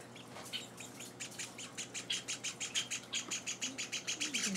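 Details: Hand-fed Java sparrow chicks in their fourth day at home: after a soft start, a rapid, accelerating series of high, buzzy chirps builds to about four per second.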